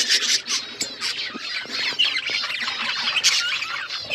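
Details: Loud, constant chatter of pet budgerigars: many overlapping squeaky notes, trills and rising whistles, with a few sharp clicks mixed in.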